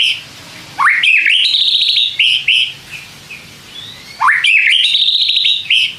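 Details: White-rumped shama, a song used to provoke other shamas into answering: a sharp upsweep into a bright trilled phrase near the top, with clicking notes, repeated twice about three seconds apart.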